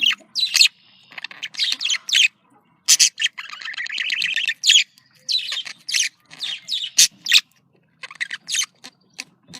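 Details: Caged budgerigars in breeding-stimulation chatter: bursts of scratchy warbling and buzzy trills separated by short pauses, punctuated by loud harsh clicks and squawks.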